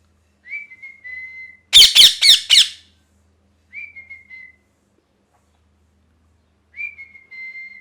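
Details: A moulting pet parrot, described as angry, gives three clear, slightly falling whistles spaced a few seconds apart, with a burst of four harsh, raspy squawks after the first whistle.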